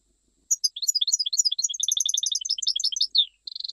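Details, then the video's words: Jijel goldfinch from Algeria delivering an unbroken, fast run of high, liquid twittering notes, dense and rhythmic for about three seconds. It ends in a short buzzy, sustained note. "تغريد مقنين جيجلي"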